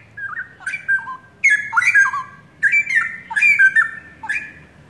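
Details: Caged young straw-headed bulbul pair from the forest, Indonesia, singing actively. Four or five energetic, burbling whistled phrases follow one another with short gaps, each rich and warbling with quick pitch drops.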